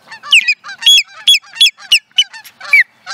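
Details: Osprey in Charlo, Montana, USA, 2017: a rapid, urgent series of high, slurred whistles, roughly three per second, each note falling in pitch, some with a buzzy edge. The background is otherwise quiet.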